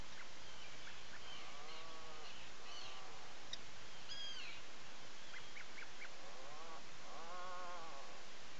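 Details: Several rippling, low, moaning growls come from an Atlantic puffin in a nest burrow on Seal Island National Wildlife Refuge, Maine, early in the morning. Between them, sharp short calls of other birds sound outside over a steady background hiss.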